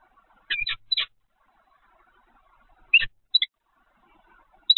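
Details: Peregrine falcon recorded by the Evoluon peregrine camera on 7 February 2020 at 15:55. Harsh, grating paired notes come in short bursts around 0.5, 1, 3, 3.4 and 4.8 seconds, with quiet background between them.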